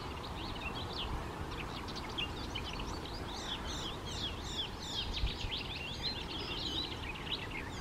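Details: Rapid, restless song of a male icterine warbler, a jumble of sharp chirps, scratchy notes and upslurred whistles poured out without pause, with constant low-pitched background rumble.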